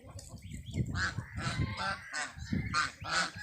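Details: Geese with their chicks: a series of short, nasal, harmonic honks, several in quick bursts over a few seconds, with low rumbling and background noise underneath.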